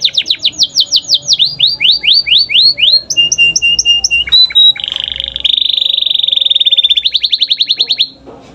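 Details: Canary song meant to encourage young canaries to sing: fast series of falling whistled notes, short paired pure tones, then a long buzzing rolled trill that fades out.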